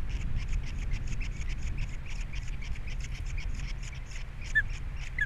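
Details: Osprey nest at Captiva with three chicks, 21 February 2022; thin, rapid chirping notes repeated in a long series, somewhat softer, masked partly by wind rumble.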